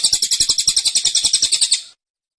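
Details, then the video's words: Caged cililin giving a tembakan-style burst, dense and insistent: a rapid string of high, sharp chirps, about eight per second, for two seconds, then silence. "Tembakan Cililin Suara Rapat Dan Ngotot"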